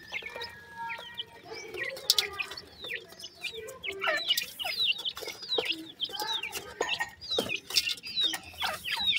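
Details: Several Grey francolin chicks peep continuously, each note a high, thin, down-curving chirp, in a dense chatter with scattered clicks and rustling handling noise.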